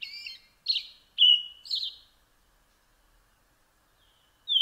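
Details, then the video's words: Four short, fluty European robin notes in quick succession, then near silence before a sudden high note at the end. "Bird Song - European Robin"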